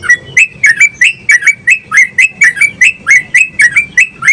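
A yellow-vented bulbul pours out loud, bubbly, gurgling notes, about three or four each second, in a steady chattering run with no other sounds.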